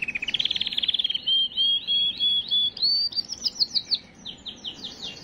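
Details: Canary song aimed at stimulating hens: a fast low rolling trill, then a chain of slurred whistled notes climbing in pitch, ending with spaced descending chips.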